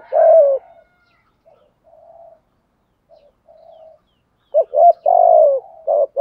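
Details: Spotted dove coos used to rouse other doves: a loud coo, two soft murmured phrases, then a strong phrase of quick double notes and a long falling coo followed by a short final note.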